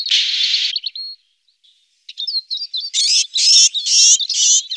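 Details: Eurasian siskin feeding on alder cones: a long buzzy wheeze, then a brief pause and a fast run of high, scratchy twittering notes. No other sounds.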